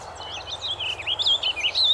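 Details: A warbling vireo sings from a blooming hawthorn perch in Cumberland, Ontario: a fast, rambling warble of looping, rising and falling notes that run on without pause, over a faint low background hum.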